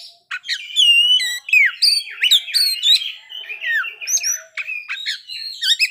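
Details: Varied, fast Oriental magpie-robin song showing off its fill-in repertoire: loud, rich whistles, slurred upward and downward notes and sharp chirps in quick succession, with barely a pause.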